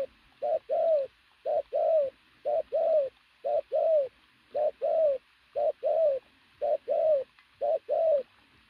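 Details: Powerful, loud cooing from a muscular decoy pigeon: about nine regular pairs, each a short note followed by a longer coo that rises and falls, evenly spaced roughly every second.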